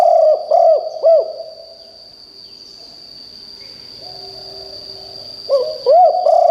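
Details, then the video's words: Decoy spotted dove kept for its fine voice to call in wild birds. It gives three rapid hollow coos, falls quiet for several seconds, then coos again with a steady thin whine behind it. "นกเขาใหญ่คับ birds - เสียงนกร้องแรงมากจนนกในป่าร้องตาม"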